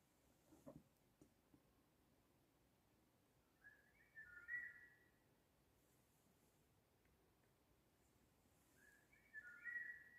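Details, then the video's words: Birds singing in Seoul in spring: two short, warbling whistled phrases about five seconds apart, with faint knocks early on and quiet pauses between. "봄에만 들을수있는 새소리 여기는 서울"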